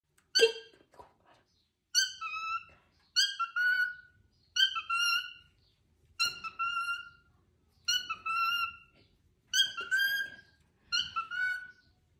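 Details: A pet cockatiel, playing with a plush cockatiel toy, repeats the mimicked Dutch word "kiekeboe" (peekaboo) in clear, squeaky two-part phrases about every one and a half seconds.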